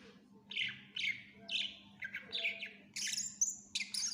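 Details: Greater green leafbird singing a lively, fill-packed song meant as a tutor: short buzzy chattered phrases repeated about every half second, then higher thin whistles and chips, over a low constant hum.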